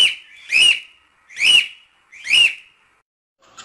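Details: Cockatiel voice recorded for teaching chicks to sing: three loud, rasping whistled notes with a sharp rising peak, spaced roughly a second apart, then a faint chirp at the end.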